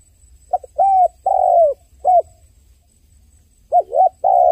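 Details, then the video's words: Dove crying in repeated hollow coo phrases, short clipped notes alternating with longer falling coos, a quiet gap midway, then a wavering coo and a held final note; a thin high hum runs throughout. "The sound of a dove crying សំឡេងសត្វលលកយំ"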